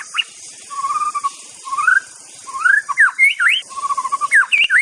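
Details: White-rumped shama of Aceh singing: level whistled notes and rising slurred phrases, then quick upward sweeps and a short run of repeated whistles, over a steady high hiss.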